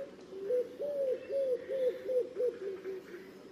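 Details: Low, rounded pigeon coos in a quick series of about eight arched notes, rising then falling in pitch and fading slightly toward the end. The background is quiet.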